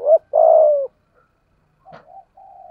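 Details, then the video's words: Spotted dove used as a decoy for lure training, 'giọng thổ' voice: a short coo and a long, falling drawn-out coo, then softer, lower-volume cooing notes after a pause. "Chim Cu Mồi/cu gay giong tho cuc dinh"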